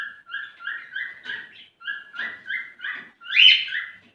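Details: Courting male cockatiel giving quick whistled notes to prompt a female to mate, ending in a louder, rougher squeal.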